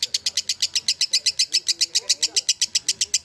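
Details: Competition lovebird from Central Java in Indonesia, delivering a fast even series of sharp, high rasping notes, roughly seven per second, over faint low murmur of people in the background.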